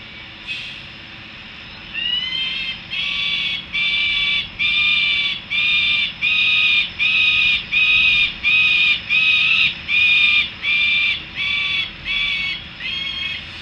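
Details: Near Harrisburg, USA, young Peregrine falcons return to their nest: after a quiet start, a long run of about thirteen harsh, screaming notes repeats steadily, roughly one every 0.8 seconds, with a low background hum.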